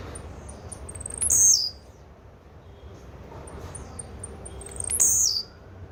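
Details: Blue-black grassquit repeating its brief, rasping high buzz twice, about four seconds apart, each opened by quick faint ticks, over steady low background noise.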